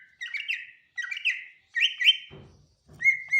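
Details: Greater green leafbird singing: bright whistled phrases with quick up-and-down warbles, given in three bursts about a second apart, then a sustained level whistle; a brief low rustle in between.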